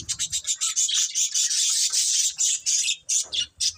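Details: A budgerigar breeding pair pours out fast, rhythmic high chirps and rasping squawks, several per second, in a nearly continuous stream.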